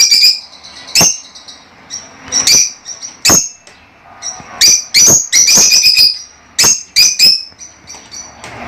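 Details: Shrill high chirps from pet lovebirds, sharp and irregular, sometimes doubled or tripled in quick bursts, over a quiet background.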